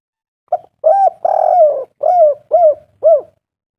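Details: Spotted dove call used to lure other doves into calling: a short note, then a longer rolling coo and three mellow, slightly descending coos, low-pitched and clean against silence.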